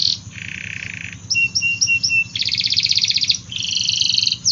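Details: Canary song made of varied blocks: a low buzzy trill, short clipped whistled notes, a dense rattling trill and a layered high trill, with low hum behind.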